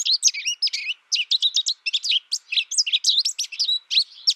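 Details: Quick, bubbly chatter of high, sweet notes from an American goldfinch, steady and varied, filling about four seconds.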